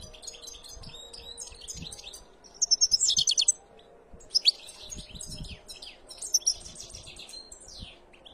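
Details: Canary song of high, bright chirps and fast trills, including a loud rolling burst of evenly spaced notes near the middle, then further short chattering phrases separated by brief pauses, over a quiet room background.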